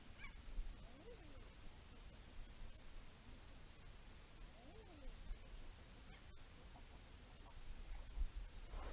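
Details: Common Eiders, heard but barely seen, on a wild Norwegian coast at dawn after a night well below freezing, give soft, moaning 'ah-ooo' croons that rise then fall, two calls about four seconds apart, over steady low wind and sea.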